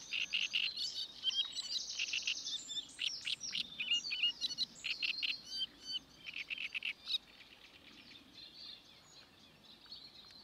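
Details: Great reed warbler singing at Paxton Pits Nature Reserve on 28 May 2016: loud, harsh, creaking notes delivered in fast rhythmic bursts, then a quieter stretch of softer chatter in the final seconds.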